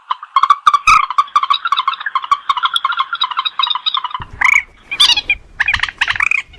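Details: Purple swamphen lure call, a bird of larger lowland swamps and reed beds: a fast run of nasal, harmonic clucking pulses, then louder, higher squawking notes near the end.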